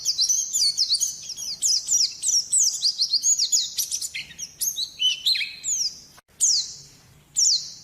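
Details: Champion white-eye singing rapid high chirping phrases, dense twittering notes giving way to sparser downslurred whistles with short gaps near the end.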